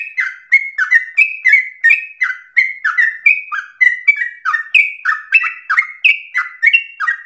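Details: Energetic training song of a sooty-headed bulbul, a rapid 'ropel' style meant to provoke other birds to sing: rich whistled phrases dropping in pitch, run together almost without pause over seven seconds.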